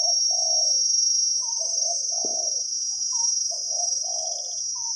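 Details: Spotted dove in the wild, a deep-voiced 'khu ang' coo singer drawn in by decoy trapping in Thailand. Rounded low coos in a run of about six notes sound over a constant shrill insect buzz.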